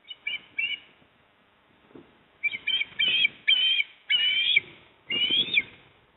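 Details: Osprey at a nest in Port Lincoln, South Australia, 28 September 2024, as the male brings a fish to the female. Short high whistled chirps come in pairs, then a run of longer, strained, slightly rising whistles after a pause.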